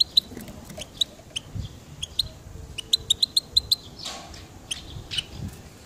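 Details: Goldfinch giving short, sharp high chirps, spaced at first, then a quick run of about eight evenly repeated notes mid-clip, followed by a few more scattered chirps over a quiet, low background.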